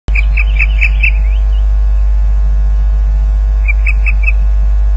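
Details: Ospreys at the nest, RSPB Loch Garten, Scotland, during a fish delivery on 30 April 2010 at 12.39 pm, picked up by a live nest camera: series of short shrill piping calls, about five quickly, then a pause, then three or four more, over steady low electrical hum.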